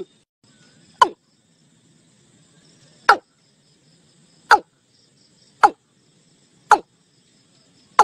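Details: Watercock calling its flock toward a net: six isolated, sharp, descending notes spaced one to two seconds apart, with faint low hum and quiet background between them.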